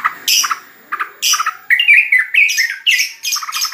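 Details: A yellow-vented bulbul sings a bubbly run of harsh chirps and short squawky phrases, about two a second, with a few clearer whistled notes mixed in; recorded at home as a song-competition bird.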